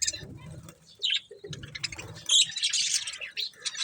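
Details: Budgerigars feeding on corn give sparse chirps at first, then a louder run of bright, scratchy high twitters, over low thumping sounds.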